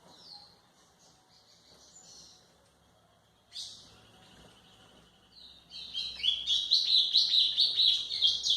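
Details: White-throated seedeater song played for training young birds: faint high chirps at first, then from about six seconds a loud, fast run of high warbled and chirped notes that rise and fall.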